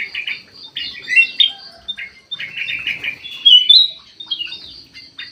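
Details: Golden bulbul of the white-eyed form, kept in an aviary and singing very actively. Bright chirped phrases rise and fall, with bursts of rapid notes separated by short pauses.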